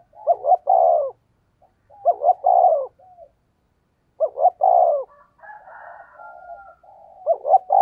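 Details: Decoy cooing of a spotted dove in the fast 'giọng thổ đồng' 'thúc gù' style. Three deep phrases, each two short hiccup notes then a drawn-out coo, with a softer warbling murmur in between.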